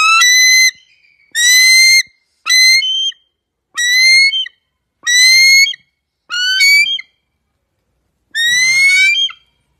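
Bald eagle giving seven high, thin whistled notes, each slightly rising and about half a second long, spaced one to two seconds apart, with no other sounds.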